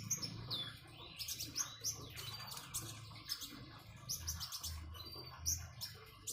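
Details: Konin, the common iora, gives quick high twittering notes and short slurred whistles in fast bursts, with soft trickling water underneath.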